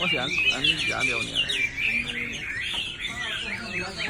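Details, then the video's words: Song of a Chinese hwamei: fast, varied melodic warbling with sharp upslurred and downslurred whistles tumbling in quick succession, and some lower chattering notes early on. "China Thrush (Rooster)"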